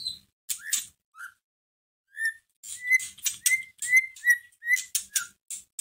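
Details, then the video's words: White-rumped shama singing as a provoking lure for another shama: a few scattered notes, then a rapid run of bright, rising whistles, each followed by a rasping burst, repeated more than twice a second. "Pancingan masteran pendongkrak emosi murai batu loyo langsung nyahut Gacor"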